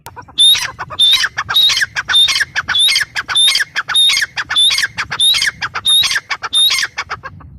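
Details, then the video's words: Grey francolin gives loud, harsh, ringing notes in a steady rhythmic series, about two per second, with no other sounds competing. "Teetar ki awaz | gray paryridge sound | francolin voice"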